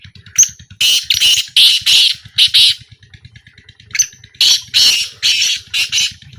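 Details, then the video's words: In a 2025 calling trial, a black francolin sends out rasping, scratchy bursts: one sharp opening note, then a run of four hoarse notes, a gap, and another grating series, all over a constant low pulsing hum. "A Small Trial Of Black Francolin"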